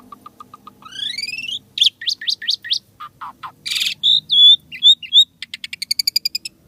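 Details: Asian pied starling singing actively in a full song style packed with unique sounds: low repeated whistles, rising buzzy slurs, rapid chattering notes, then a fast train of clipped high chirps.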